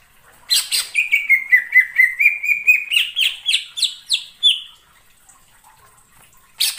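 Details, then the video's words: Cucak ijo lure song for catching birds: a sharp burst, then a fast, even string of whistled notes about twice a second, rising into higher buzzy slurs before stopping. "suara pikat burung cucak IJO"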